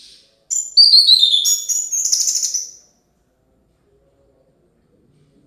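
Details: Orange-headed thrush in energetic song. A single burst of about two seconds opens with clear descending whistles and runs into a rapid buzzy, twittering stretch, followed by silence.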